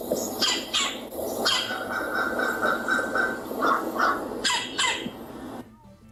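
A woodpecker gives a string of harsh, squawky calls, several bursts spaced roughly half a second apart, over a steady background hiss.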